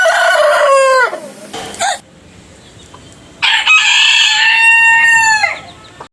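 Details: Rooster crow, one of many different roosters collected together: a crow ending in a falling drawl, a short squawky note, then after a pause a full, strong harmonic crow of about two seconds.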